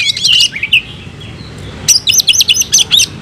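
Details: Oriental magpie-robin in fighting song: loud, high whistled phrases with sliding notes. After a short pause comes a rapid run of sharp, varied high twittering notes.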